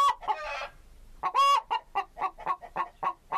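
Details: Chicken (Gallus gallus): a rough, noisy burst, then a single loud, ringing squawk followed by a rapid, regular string of clucks.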